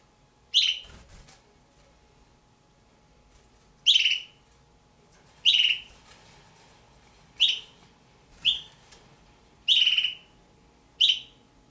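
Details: Kept juvenile Damara red-billed hornbills, a pair, repeat high, squealing, falling notes seven times over nearly twelve seconds at irregular gaps, with light rustling and a steady faint hum.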